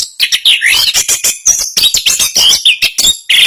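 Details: National champion Orange-headed thrush singing fast and tightly packed 'ngerol speed rapat' song, a packed run of shrill twitters and slurred whistles, some notes sweeping up and down, running almost unbroken.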